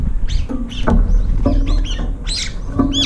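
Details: Brown-eared bulbuls squabble over the last scraps in a feeder bowl; several short, sharp, bending squeals follow one another quickly, with low knocking sounds underneath.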